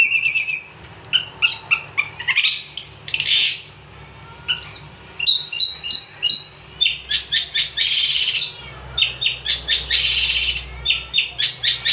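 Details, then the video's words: Long-tailed shrike (cendet) in varied 'gacor' song for tutoring songbirds: a shifting medley of high whistles, buzzy slurred phrases, harsh chatters and dense scratchy bursts, barely pausing throughout. "kicauan cendet gacor"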